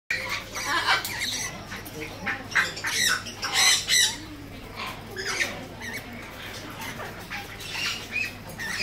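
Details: Red-collared lorikeet with ring number 008, a parrot whose plumage shows seven bright colours, giving harsh, screechy squawks in irregular bursts amid heavy background noise, with possible wing flapping and faint voices.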